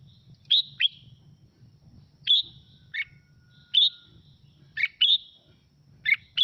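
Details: Clear red-whiskered bulbul song intended to stimulate birds to sing back: paired and single high whistled notes, some dropping into lower chirps, spread over several seconds in a quiet setting.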